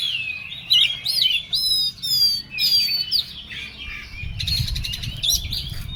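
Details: An agitated Oriental magpie-robin sings harsh buzzy trills and slurred whistles in rapid phrases about twice a second, ending in a dense scratchy chatter over a low background rumble.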